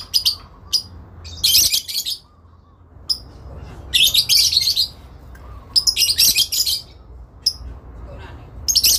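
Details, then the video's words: Adult lovebirds give long chattering calls, answering one another as if calling a rival: shrill, harsh bursts, some brief and some a second or longer, every second or two. "induk love bird ngekek panjang , saling nyaut memanggil lawan"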